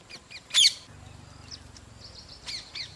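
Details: Rose-ringed parakeet pair feeding their two chicks: one loud, harsh screech, with several thin, high chirps scattered before and after it against a faint low hum.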